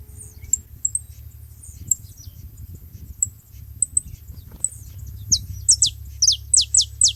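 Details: Saffron finches together at a feeding spot: soft high ticks for five seconds, then a burst of loud, sharply falling whistled slurs repeated about twice a second, over a steady low hum.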